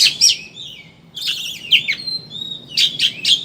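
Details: Lure song of an oriental magpie-robin, chattering 'ngeriwik' type intended to make birds open their beaks and sing; loud scratchy bursts and a thin sustained whistle, ending in three quick bright chirps.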